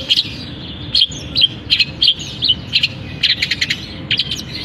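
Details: Caged long-tailed shrike singing right after its cage cover is opened, with mimicry of canary, sparring sparrows and kapas tembak. Bursts of sharp, high chirps and short trills arrive in quick clusters, separated by brief pauses.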